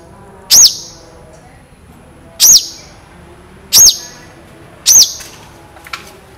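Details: Long-tailed shrike belting long, sharp, clear shot notes for a training recording: four loud, high, arched notes with ringing tails, spaced a second or two apart, plus a faint click near the end.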